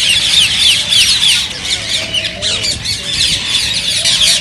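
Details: Rose-ringed parakeet sounds used to stimulate other parakeets to sing and mate: dense, harsh, high squawks and chattering overlap continuously with no clear gaps, over a steady background hiss.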